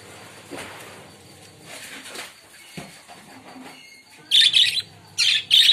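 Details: Ten budgerigars of different colours kept together in one cage, giving bursts of scratchy, chattering chirps high in pitch, with soft rustling between.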